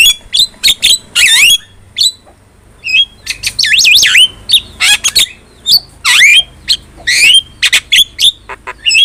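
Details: Javan myna singing energetically: scratchy squawks mixed with bouncing, whistled warbles that rise and fall, and clusters of sharp clicks and chirps in a restless, varied sequence.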